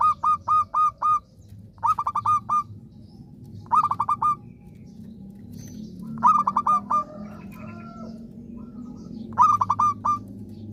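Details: Frequent-singing zebra dove whose song serves to encourage silent birds to start singing again: five phrases of rapid staccato coos, each closing with a longer note, delivered in steady succession over a low background hum.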